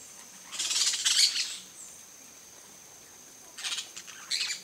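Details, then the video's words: Yellow-chevroned parakeet (Brotogeris chiriri), Brazil's periquito-de-encontro-amarelo, on a coconut palm, gives bursts of shrill, high, scratchy chattering: a long burst, then two shorter ones after a pause. "PERIQUITO-DE ENCONTRO AMARELO (BROTOGERIS CHIRIRI), YELLOW-CHEVRONED PARAKEET"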